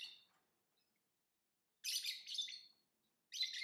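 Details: Lovebird giving a few loud, rasping, high chirps: one fading burst at the start, a longer harsh double burst after a silence, then another shrill burst at the end.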